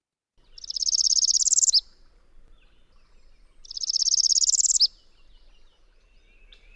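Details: Northern Parula, a spring migrant warbler, singing a variant song: a high, very fast buzzy trill that rises and ends in an abrupt upward snap, given twice about three seconds apart.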